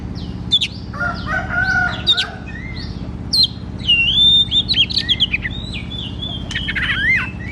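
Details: Kacer, the oriental magpie-robin, singing loudly in ngeplong style as a lure for untrained kacer: varied whistled phrases, long level notes and quick slurred runs, ending in sharp chips, over a constant low hum.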